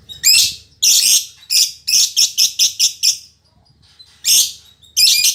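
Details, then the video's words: Fighter-type female lovebird, said to sing as persistently as a male, giving loud rasping shrieks followed by a quick run of short harsh chirps, a brief pause, then more screechy bursts. "Suara Burung Lovebird Betina Fighter"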